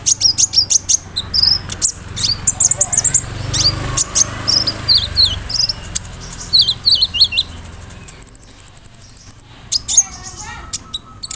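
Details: Roll nembak lure song of a brown-throated sunbird (kolibri ninja), filled with cricket, cililin, sparrow and cerr imitations; dense rapid high chips and slurred whistles, then a sustained insect-like thin trill before more quick ticking.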